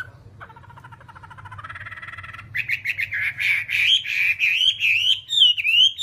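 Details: Hwamei song for tutoring: it opens with a low, nasal, rapidly pulsed rattle that grows louder, then breaks into bright, warbling whistles rising and falling at a quick pace, over a low hum.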